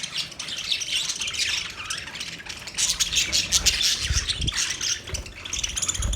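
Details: Chirping budgies, a busy stream of high squeaky warbles and squawks, fast and irregular, with some low knocks near the end.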